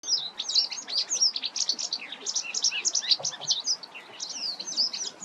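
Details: White wagtail giving a fast, continuous twitter of high, sharp chirps and short slurred notes, packed closely together with barely a pause over five seconds.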